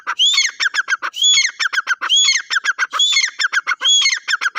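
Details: Loud partridge calls: each phrase opens with an upward-sweeping whistle and runs into quick, harsh, stuttering notes, repeated roughly once a second without background sounds.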